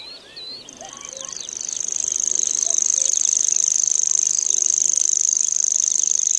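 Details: Common grasshopper warbler singing: after a brief start of faint chirps from other birds, a very high, dry, insect-like reel begins and runs unbroken, fast even ticking pulses swelling louder over the first two seconds.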